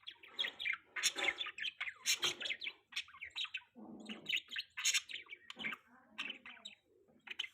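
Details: Pet budgerigar, possibly with other caged budgies, chattering steadily: dense scratchy warbles, squeaks and clicks in near-constant bursts, with some lower rustling sounds between phrases.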